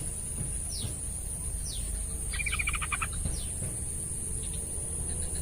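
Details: Yellow-vented bulbul song used as therapy to get a lazy bird singing. A single rapid, bubbly chattering phrase of under a second is heard, with thin descending chirps around it and a constant shrill whine behind.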